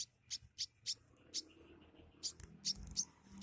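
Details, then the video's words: Pet sunbird singing a song that includes imitations of other birds such as sparrows and prinias: a run of short, very high, clipped notes spaced about a third of a second apart, with faint low background hum. "Burung sogok ontongku yang kicaunya isian seperti gereja,prenjak lumut/cieng dll"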